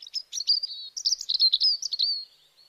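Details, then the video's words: Bird chirping steadily: a fast, continuous string of high twittering notes and short warbles with slurred whistles, fading out at the end. "Birds Chirping Sounds"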